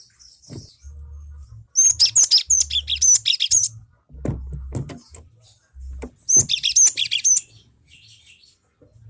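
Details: Lure recording of a cinereous tit to draw other birds into song: two clusters of quick, high, thin repeated notes with brief whistled accents, set apart by quieter gaps with low humming and scattered clicks.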